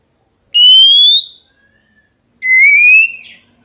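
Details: Oriental magpie-robin song used to provoke rivals: two drawn-out clear whistles, the first rising and higher, the second lower and rising, separated by about a second of quiet.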